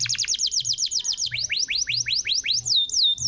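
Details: Canary song meant to prompt a silent canary to sing again: rapid series of high downslurred notes, about six per second, dropping slightly in pitch, ending in a clear sustained whistle.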